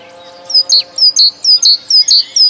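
A titmouse sings a bright two-note phrase, a higher slurred note then a lower one, repeated about twice a second, over a faint low hum.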